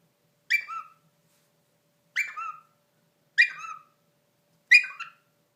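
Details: Indoor Indian ringneck parakeet kept as a pet, doing peekaboo and silly noises: four brief raspy notes with a loud squawky onset and a dropping tail, repeated every second or so, nothing else audible.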